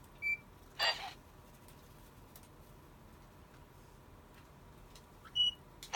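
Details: White-bellied caique, a pet parrot, giving a few scattered sharp calls: a thin whistled note, a couple of harsh screeching bursts, and another clear whistle, separated by long quiet gaps.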